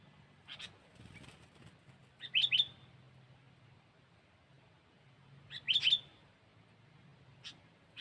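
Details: Sooty-headed bulbul recorded as a lure sound: two sharp bursts of high chirped notes about three seconds apart, with faint isolated notes, over a low steady hum.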